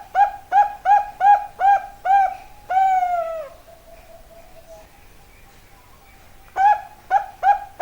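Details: Zebra dove, Bangkok type, cooing: six evenly spaced short coos, then a long sustained coo fading into a soft low note, a pause, and a fresh run of quick coos.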